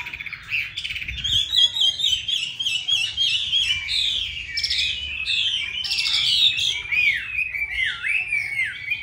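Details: Chinese hwamei, a caged bird in Hanoi, Vietnam, singing a loud continuous run of rich whistled phrases, with slurred rising and falling notes and rapid trills packed together without pause.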